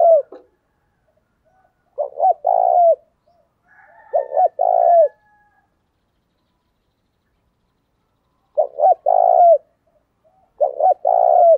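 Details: Caged decoy spotted dove used to lure wild doves, cooing in the rustic voice style: short bursts of two to four husky, mellow coos, the groups separated by pauses of several seconds, with no other sounds heard.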